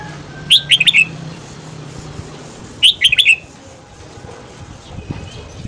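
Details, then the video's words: Red-whiskered bulbul singing at morning to rouse newly caught birds and train their voices; two loud, lilting four-note phrases, each about a second long, roughly two seconds apart, with a faint low hum. "Luyện giọng chào mào hót sáng KÍCH BỔI SÁNG"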